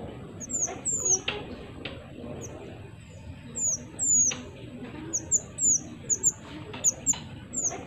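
Pied triller: thin, very high notes that slur downward, given in quick clusters every second or so over a background of steady hiss and scattered clicks.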